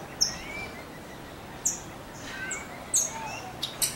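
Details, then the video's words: A wild, free-flying Saffron finch sings its strong, crackling song. Loud, abrupt, high-pitched snapping notes come in spaced bursts about every second, with fainter thin whistles from other birds beneath a steady outdoor hiss. "CANÁRIO DA TERRA CANTANDO SOLTO"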